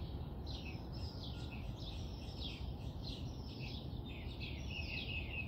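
A robin sings a thin, high, wavering warble in quick overlapping phrases, almost without pause, over a steady low rumble of wind or distant traffic.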